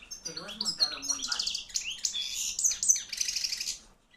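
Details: European goldfinch, a 2013 hand-reared junior bird, the middle one of a group, singing loudly: a rapid, twittering run of high tinkling and buzzy notes with quick rising slurs, continuous for about four seconds.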